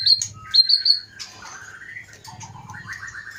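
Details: Murai batu, a white-rumped shama from Pining in Aceh's Leuser mountains, giving high clear whistles, then lower gliding and stepping notes rising in pitch, with a soft low hum behind.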